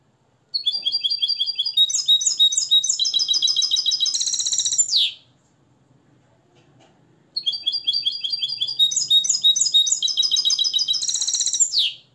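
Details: Nest-raised European goldfinch from Morocco, taught the limpio style after the Tarkiba Dahabia 2020 method, sings two long phrases of rapid, ringing high twitters, each closing with a sharp rising-falling flourish, separated by a two-second pause.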